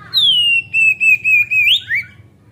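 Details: Caged Oriental magpie-robin, ngeplong singing meant as a lure for raw young birds: one clear whistle dropping from high to a wavering level tone, ending in a sharp rising flourish and a brief lower note; faint low hum beneath.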